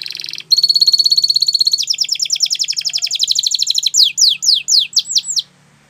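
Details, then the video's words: Gloster canary singing a series of distinct phrases: a brief buzzy burst, then a long fast rolling trill of rapidly repeated high notes, ending with slower, downward-sweeping whistled notes about two per second. A faint low hum sits beneath. "Gloster Canary Singing !! Canary Bird Song"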